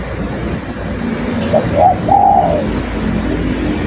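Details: Spotted dove singing: two short low coos and then a longer drawn-out coo, over steady background noise with a few faint high chirps.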